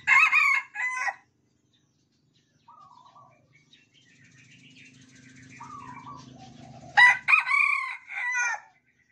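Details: Tame caged Red Junglefowl of Sumatran origin crowing back and forth. A loud, broken crow begins and another returns near the end. Softer distant crows and a low rumble fill the gap between them.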